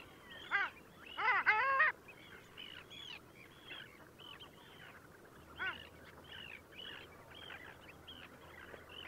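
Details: Long-tailed ducks in Liepāja, Latvia, winter 2024: loud yodelling honks open the recording, followed by a steady run of rising-falling nasal notes from many birds calling together.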